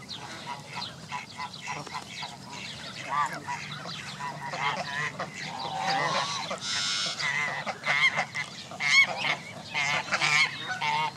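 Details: Canada geese gathered with goslings at Jess Ranch Lakes Park on May 23, 2014, 29 of 32 families present: a dense chorus of overlapping honks and higher calls with no steady rhythm, many birds calling at once.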